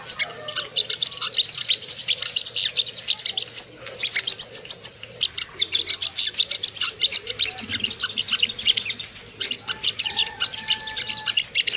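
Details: Ruby-cheeked sunbird song for luring birds into an aroused, aggressive state. High, rapid chattering phrases several seconds long are split by brief pauses, with a steady low hum in the background.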